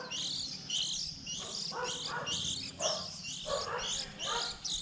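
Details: Young white-eyes early in the 2020 season, around April when they leave the nest, give a steady stream of thin, high twittering chirps, several a second, with lower muffled bursts, possibly distant voices, underneath.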